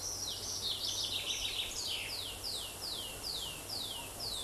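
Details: Tree pipit at a forest edge in Ukraine, singing from a tree and in song flight, a quick jumble of high notes then a steady series of clear, falling whistles two or three per second, over soft outdoor noise.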